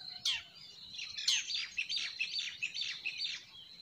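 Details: Close, loud spring forest birdsong: a series of crisp, descending chirps and slurred notes, about three per second, over a faint high hum.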